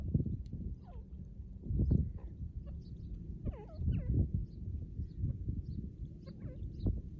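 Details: Female white partridge calling loudly beside a partridge cage: scattered short curved notes, some rising then dipping, given singly and in small bursts over a steady low rumble of background noise.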